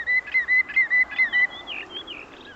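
Common Greenshank giving a run of ringing, level whistled 'tew' notes, about four per second, then fainter, higher slurred notes trailing off.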